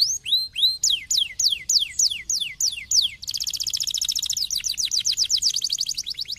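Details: Canary song meant to stimulate a lazy canary to sing: rising then falling whistled notes in quick series, shifting to a fast rapid trill of short high notes, then descending slurred whistles.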